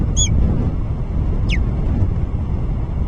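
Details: Ospreys at their nest near Alyth substation, watched by nest camera on 30 July 2024; two brief, high, downslurred whistled chirps over a strong steady low rumble of wind or machinery.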